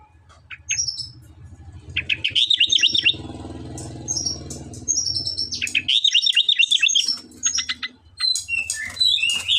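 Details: Sooty-headed bulbul singing energetically. Bubbly rapid trilled phrases with quick wavering notes repeat in two main bursts, joined by high sharp chirps, over a low rumble like a passing vehicle.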